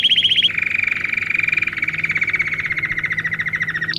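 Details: Domestic canary song played for training young birds: a short high trill, then a long even rolled trill on a lower pitch, with a higher trill starting at the end.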